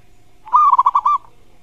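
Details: Brief zebra dove master-song fragment used to incite a rival's reply: six quick, clipped coo beats in under a second.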